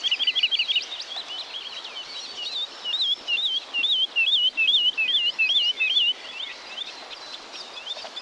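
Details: Woodlark, a forest bird of Wielkopolska National Park: a slow run of fluty, wavering notes repeated roughly twice a second, fading toward the end, with faint twittering of other birds behind.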